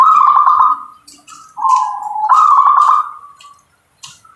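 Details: Local zebra dove song: a vibrating, trilled phrase, then a smooth low coo rising into another rapid rolling trill that fades out; light tapping sounds between phrases.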